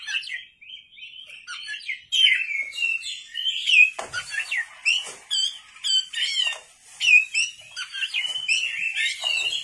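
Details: Nighttime vigorous song from an Oriental magpie-robin (kacer): soft whistles at first, then loud varied phrases of looping whistled notes, sharp chips and scratchy trills.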